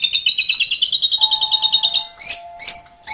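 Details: Asian pied starling giving a fast, even rattling trill lasting about two seconds, followed by sharp squeaky whistled notes; a faint steady tone sounds in the background.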